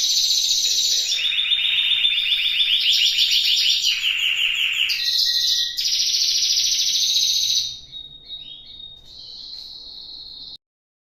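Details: Aviary timbrado canary singing a long varied song: buzzy rolling trills changing pitch every second or two, then sustained bell-like tones, fading to softer high notes near the end.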